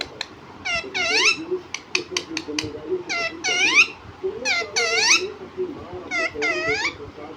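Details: Talking pet parrot, said to say words like "mummy papa": harsh, harmonic voiced bursts come in quick clusters about every second or two, some rising and some falling, with quiet room background.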